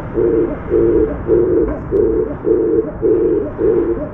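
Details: Oriental turtle dove on an outside bar doing an up-and-down courtship dance, giving low, muffled 'ppung' coos: seven even hoots in steady series, roughly every 0.6 seconds, over faint background hum.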